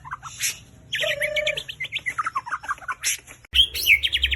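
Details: White-rumped shama (murai batu) lure song with a rich mix of notes: a steady mid whistle, fast stuttering chips and trills, sharp high bursts, and an abrupt change to a brighter rattling phrase.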